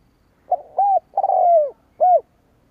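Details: Lure call of a spotted dove meant to draw in rival doves, given as one mellow phrase: a short opening note, an arched coo, a long falling coo, then a closing arched coo.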